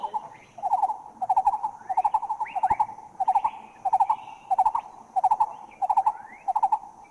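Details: A Green-eared Barbet (Psilopogon faiostrictus), recorded in a Thai national park, gives quick bursts of three or four hollow, low piping notes, repeated steadily about every half second, with rising whistles from other birds behind.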